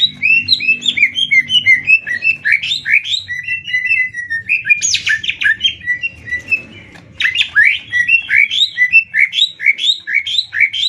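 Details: Greater green leafbirds from Banyuwangi and Kalimantan face off in a 'tembak ngetrek' singing match. Loud, machine-gun runs of sharp rising whistles and chips, a brief noisy burst, a short pause, then the rapid volley resumes.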